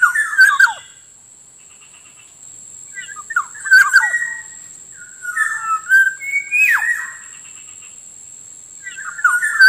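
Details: Black-naped Oriole lure and tutor recording for attracting wild orioles and prompting captive birds to sing: rich, fluty whistled phrases with harsher notes, repeated every few seconds, over a steady high-pitched electronic whine.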